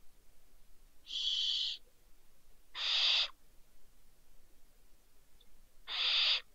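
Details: Two barn owl owlets fallen from a balcony at Riet Vell reserve, Ebro Delta, Spain, 27 December 2023: three harsh, hissing screeches, each under a second long, spaced unevenly over several seconds against quiet background.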